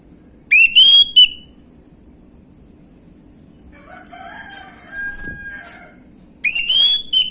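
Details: Gamblingan-style orange-headed thrush song played to draw a response from other birds; a rising whistled phrase, a stretch of quieter lower twittering, then the same bright phrase again.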